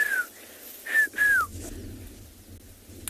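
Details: Rufous-naped Lark (Mirafra africana) in open plains on a South African private game reserve, on a cool, blue-skied January morning, giving three clear, downward-slurred whistles over a faint low rumble; it often calls from the top of small bushes.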